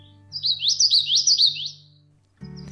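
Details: During spring migration, a Common Yellowthroat, the first of the year, in a wet alder-filled area at the back of a homestead sings a quick, high, rolling witchety-witchety phrase of four or five linked notes in just over a second, over faint background music.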